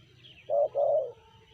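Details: A single low, mellow two-note coo from a spotted dove (tekukur) with a 'sanji' voice, a short first note then a slightly longer second.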